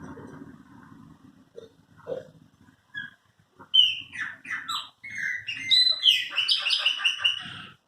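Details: Chopi blackbirds kept as the owner's own birds, singing: a quiet, low start, then from about four seconds a burst of loud, varied whistled and slurred notes, some rising and some falling, crowding together toward the end.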